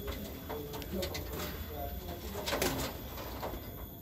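Low, soft hollow coos from a Barbary dove, a few short notes spread over several seconds, against a steady indoor hum with faint voices.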